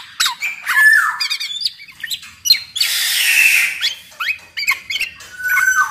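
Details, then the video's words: Black-naped oriole in full song, played as a lure to set other orioles singing: clear whistled notes near the middle register, sliding down or up, broken by a long harsh, buzzy squawk and further short fluty phrases. "PODANG MAS GACOR kicau suara burung kepodang AMPUH BUAT PANCINGAN KEPODANG AGAR BUNYI"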